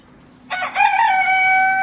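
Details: Black Australorp chicken crowing: after a short rough opening comes a loud, sustained, steady tone with rich harmonics, held to the end of the clip against a quiet background.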